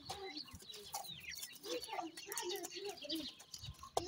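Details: Baby grey francolins peeping softly, a run of short whistled notes repeated every fraction of a second with fainter overlapping chirps and background hiss.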